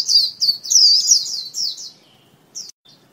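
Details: White-eye giving a lure call, a burst of high, thin chattering notes for about two seconds, fading to a faint trill, with one brief chirp and a weak note afterwards.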